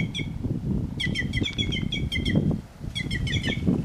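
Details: Singing white-naped jay in the wild, one longer string of quick ringing nasal notes followed by a shorter burst, with low rustling and wind noise throughout.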